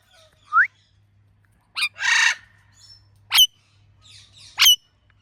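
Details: Ringneck parrot making natural chirping sounds: a rising squeaky note, a short harsh squawk and rasping burst, then two loud, sharp high chirps spaced about a second apart, with a faint low hum.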